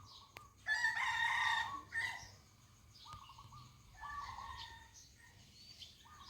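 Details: Rooster crowing amid morning birdsong on a cold, foggy morning in Ko Kha, Lampang, Thailand: one loud, long harmonic crow, then other birds giving short repeated whistled phrases in the background.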